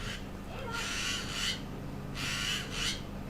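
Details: A noisy magpie in a tree outside a window gives two harsh, rasping bursts of chatter, each under a second long and about a second and a half apart, over a low steady hum.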